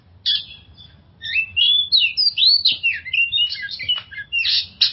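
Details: Oriental magpie-robin singing as a lure for stressed birds: after a short note, a flowing stream of bright whistled slurs and warbles, ending in harsher scratchy bursts.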